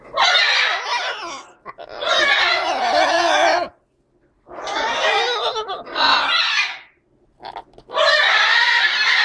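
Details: Breeding pair of green-winged macaws, both about 12 years old, in breeding mode after laying three eggs this summer, give loud, harsh, raspy screeches in one-to-two-second bursts with brief pauses.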